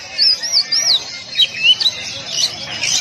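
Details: Oriental magpie-robin tight-shot training song for caged birds: a run of wavering looped whistles, then bouncing upslurs and a busy burst of high scratchy notes at the end.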